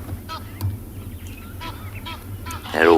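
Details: Egyptian geese shouting at each other in the background during a sunrise safari on a calm Wednesday morning, 12 August 2020, near a resting hippo and dry grassland: harsh, nasal honks in short bursts about every second, ending in a louder raucous burst, over a low rumble and a murmuring voice.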